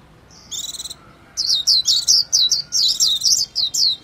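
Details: Japanese white-eye opening with a brief buzzy trill, then a lively sequence of high, sliding chirps at roughly two per second.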